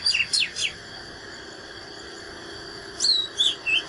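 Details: Oriental magpie-robin fighting song heard against a noisier background hiss: a short cluster of sharp falling whistles opens the clip, and a few clear slurred whistles return near the end.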